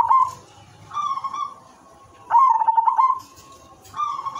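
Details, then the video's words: Silver zebra dove's lure song for setting off other doves: short trilled coos in a steady rhythm, a louder rolling phrase in the middle, then a softer closing coo. "perkutut silver gacor manggung irama merdu jadi pancingan semua jenis perkutut dijamin ikut bunyi"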